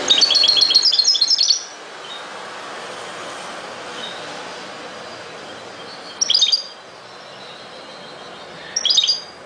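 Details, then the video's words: Goldfinch twittering in three bursts: a tinkling phrase of about a second and a half at the start, then two short high bursts later on, separated by long stretches of steady background hiss. "غناء جميل لطائر الحسون chante du chardonneret"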